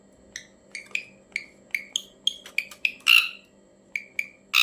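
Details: Ashy drongo making strange calls: a quick series of sharp clipped chirps and upslurred notes over a faint steady low hum, ending in a harsh buzzy rasp.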